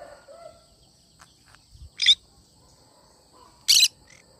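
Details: Cinnamon green-cheeked conure giving two short, harsh, broadband screeches about one and a half seconds apart, the second louder, over a quiet background with faint low rumble.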